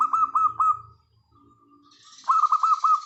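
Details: Local wild-type zebra dove song used as a lure to set silent birds singing: two bursts of quick, bouncing mid-pitched notes separated by a near-silent pause, the second burst accompanied by a soft high hiss.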